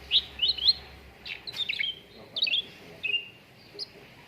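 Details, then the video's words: Cucak ranting on a training recording for contest birds: a few fast paired chirps, then twisting slurred whistles and one drawn-out, slightly falling note, with a faint hum early on. "PANCINGAN CUCAK RANTING BAHAN AGAR CEPAT GACOR"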